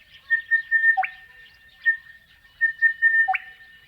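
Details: Crested bellbird in the Australian outback, its song ventriloquial and hard to locate: short clear whistled notes, then a low note that flips sharply upward, given twice about two seconds apart, over a faint steady high whine.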